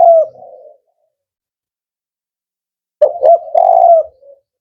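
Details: Male spotted dove, 'Kuk 4' singer, with the tail of a coo, a long silence, then a phrase of two short hollow notes leading into a sustained low coo.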